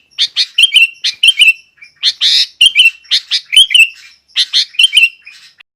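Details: Sooty-headed bulbul singing loudly as provoking master song for other bulbuls: clusters of sharp chirps and warbled, slurred whistles in short bursts, with brief gaps, one harsher broad note near the middle.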